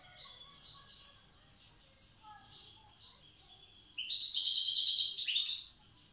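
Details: European goldfinch, wild, from Tiaret, old song style: faint distant twittering at first, then a loud burst of rapid ringing trills lasting under two seconds.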